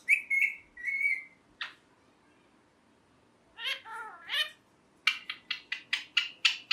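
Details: Pet ringneck parrot mixing whistled notes, a garbled harmonic talking phrase, and a fast run of about eight sharp repeated chirps indoors.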